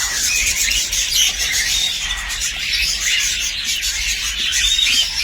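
Young cockatiels give a steady chorus of raspy, wheezing chirps, several voices overlapping without a break.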